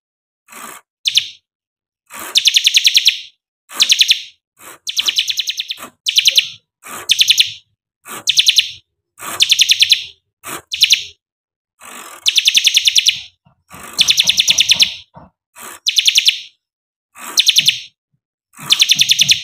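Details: A bar-winged prinia singing from one spot on its perch without hopping gives loud, high, rapid chattering bursts, repeated about once a second with brief pauses.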